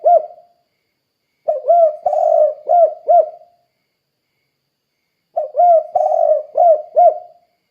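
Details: Spotted dove calling loudly in a recording meant as a lure to set other doves calling. Low, hollow cooing phrases of four or five notes, one middle note drawn out and rolling. Two phrases about four seconds apart, with a faint tail at the start.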